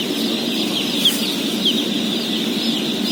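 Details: Steady shrill peeping from some 17,000 day-old chicks at feeding, a few individual cheeps standing out above the dense chorus and low background rumble.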